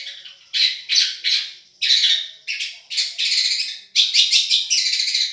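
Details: Madura long-tailed shrike singing in a tutoring recording billed as a champion voice: loud grating bursts separated by short gaps, several rapid stuttered notes, ending in dense buzzy chatter.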